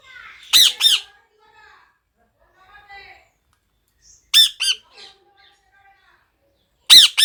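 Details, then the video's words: Pet parrot, presented as talking, giving three loud harsh squawks, each a double burst of ringing, arched harmonic notes, at roughly three-second intervals with near silence and faint softer murmurs between. "পাখিটা কি বলছে আপনাদের একবার শুনুন | parrot 🦜"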